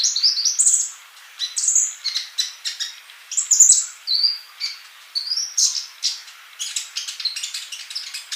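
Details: Olive-backed sunbird, a male in full song, played as tutor for silent young birds: a fast stream of sharp high tweets and bright whistled slurs, mostly continuous, with a few short gaps.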